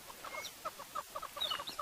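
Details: On a morning bush walk, hornbills cluck in quick, hollow, repeated alarm notes, several per second, with thin whistles from other birds above them. Kudu had been alarmed first, long-tailed shrikes and starlings were also calling, and the guide suspects a leopard nearby.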